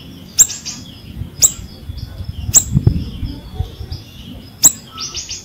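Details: Ashy drongo in full song, played as a lure for ashy drongos that have stopped singing: sharp high chips about once a second, each followed by short slurred whistled notes, ending in a burst of quick whistles, with faint low rumble beneath.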